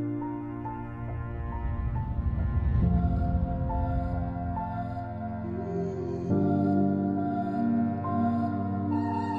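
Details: Soft ambient music with sustained tones and gentle chords plays throughout, with no animal sound heard.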